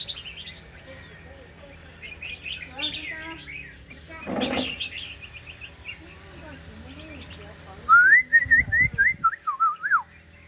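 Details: Shama song: soft, varied warbling and chirps at first, a brief loud noise burst midway, then a loud run of clear whistled notes, each rising and falling, repeated rapidly near the end.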